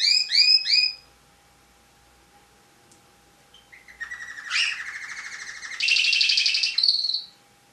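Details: Champion tame canary: quick repeated downslurred whistles, silence, then a short rising note, a sustained rolling trill and a harsher buzzy section fading out.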